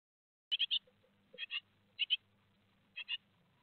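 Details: Great tit nestlings two days before fledging, recorded on 15 July 2020 at Théding: short raspy chirps in pairs and triplets, clustered bursts repeated about every half second to second, with a faint low hum beneath.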